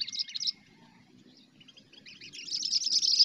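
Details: Sooty-headed bulbul singing 'cengkram' chatter for bird luring: a short burst of rapid high chirps, a near-silent pause with a faint whistle, then a longer, louder run of quick scratchy notes over a low background hum.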